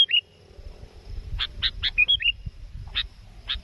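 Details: Sooty-headed bulbul calling a rival toward a trap, with brief bright whistles mixed among rapid harsh chip notes and clicks, set against a noisy low rumble.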